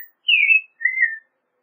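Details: Two clear whistled notes of American robin song, the first higher and falling, the second lower and level, with nothing else audible.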